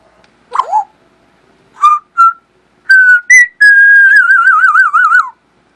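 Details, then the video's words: African grey parrot kept as a pet, whistling a series of clear tones: a short slurred note, then paired flat whistles rising in pitch, ending in a long wavering warble that falls away at the close. Quiet room, no other sounds. "Sounds of an African Grey"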